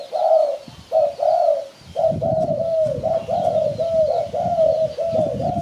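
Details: Spotted dove sound, presented for luring birds when hunting: soft, mellow coos, a few spaced notes and then a near-continuous run of slightly falling coos, over a low background rumble.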